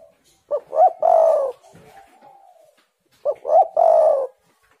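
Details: Spotted dove song used as a lure to get silent doves singing. Two phrases, each two short rising hoots followed by a longer, steady, slightly falling coo, about three seconds apart, in a quiet setting.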